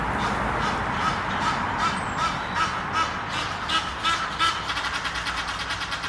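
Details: A pair of Egyptian geese up a tree near Henley-on-Thames, courting and about to mate, give harsh, nasal honking notes, about three per second in an uneven run, over a steady rushing background noise.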